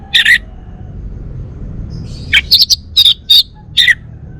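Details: Bali-type male orange-headed thrush, a kept songbird used for bird-sound therapy, giving short bright chirps: one double note, a pause, then five quick high chirped notes spaced irregularly over a faint low background hum.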